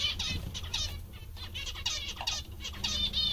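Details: Cheerful zebra finches give scattered short nasal toots and buzzy chirps, some sliding downward, spaced irregularly, with a low steady hum underneath.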